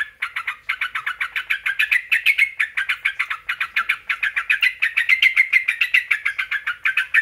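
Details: Continuous rapid chattering from a sooty-headed bulbul, played as a lure to make other bulbuls answer; scratchy, evenly pulsed notes with brief pitch lifts in places, about three per second throughout.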